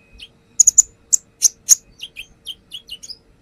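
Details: Lure song of the brown-throated sunbird, or konin: a quick triplet of shrill notes, several loud piercing calls, then a tumbling series of softer, descending chirps.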